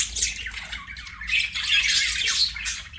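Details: Budgerigar kept as a pet giving a continuous, harsh, squawky chatter of rapid rasping notes with little pause.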